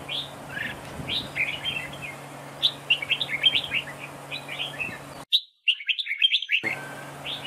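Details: Decoy red-whiskered bulbul in a trap duel, lively chattering whistled notes in short clusters, a moment of silence late on, then singing resumes over a faint low hum.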